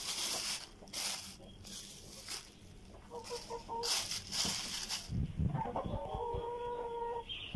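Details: Tiger chickens being given vegetables to eat; several short tonal calls with stacked harmonics around the middle and again near the end, over broadband rustling and pecking noise.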